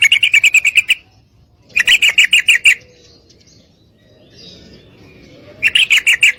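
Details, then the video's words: Female Sooty-headed Bulbul giving a call to attract a male for mating, with three bursts of fast, harsh repeated notes, two close together at the start and one after a long pause. "Trucukan Betina Gacor Memanggil Pejantan"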